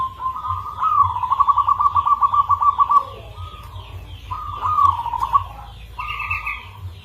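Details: Local zebra dove of a rare, unusual rhythm, sung as a lure call: low cooing notes around a steady pitch break into a fast rattling run of about twenty beaded pulses, then shorter rolled phrases follow after a pause.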